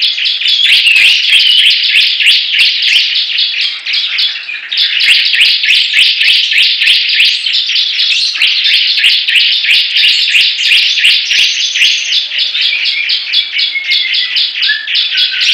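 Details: Bar-winged prinia singing battle, a long unbroken wall of rapid high chirps from more than one bird, with sharp ticks on top and a faint thin whistle sliding downward near the end.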